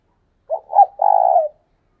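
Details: A decoy spotted dove calls vigorously with one soft, throaty phrase: a quick low note, a slightly higher swelling note, then a long buzzy coo that tapers downward. The setting is otherwise silent.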